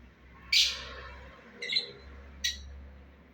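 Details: Breeding pair of lovebirds giving three short, high, harsh chirps spaced about a second apart, the first loudest, over a faint low hum.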